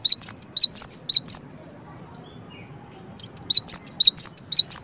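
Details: Cinereous tit calling in two bursts of rapid, high, sharp chirped notes, alternating lower and higher pitches, about two notes per second, with a quiet pause between bursts and faint low background hum.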